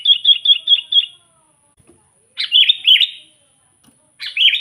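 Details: Sooty-headed bulbul used to call and provoke wild bulbuls: a row of five quick bubbly notes, then two longer rich warbled phrases rising and falling, clear and close with little background.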